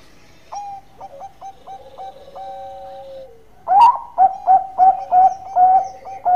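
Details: Zebra dove (perkutut) singing: soft staccato coos and a long level note that slides downward, followed by a loud burst of ringing, bouncy notes repeated roughly three times a second.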